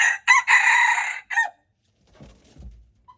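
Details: Wild red junglefowl rooster, recorded February 26, 2025, gives one hoarse crow of four harsh bursts, a long drawn middle note and a short falling end, followed by soft low rustling.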